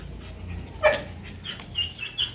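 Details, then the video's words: Pet cockatoo talking indoors, likely saying "me too": a short, voice-like phrase, then a few higher, squeaky tonal notes over the next second, against faint room noise. "Cockatoo Parrot talking"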